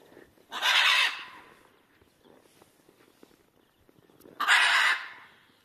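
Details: Two loud, harsh broadband squawks from pet macaws outdoors on a sunny, calm February winter day in Sweden, about two seconds apart, with a woman greeting them softly in Swedish between calls.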